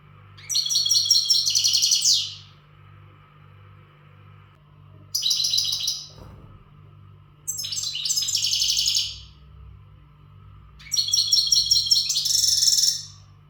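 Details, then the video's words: Untutored caged European goldfinch of the western type singing its readiness song, strong and energetic: four bursts of rapid, high, jangling twittering phrases, each one to two seconds long, separated by pauses, over a steady low hum. "تغريد الحسون"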